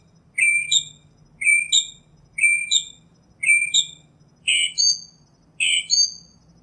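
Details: A northern mockingbird singing in nature repeats one slurred, stacked phrase four times at about one-second intervals, then changes to a harsher, broader phrase given twice.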